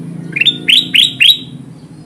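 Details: Four quick, rising whistled chirps from a kutilang emas bulbul, a call used to lure wild birds of its kind toward trapping glue, each note climbing steeply and ending in a brief ringing tone.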